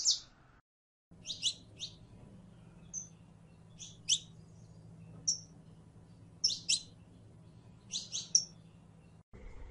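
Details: Saffron finch, locally canario criollo, with sparse prelono phrasing: isolated high chirps and short doubled notes separated by long pauses, one brief thin whistle, over a constant low hum.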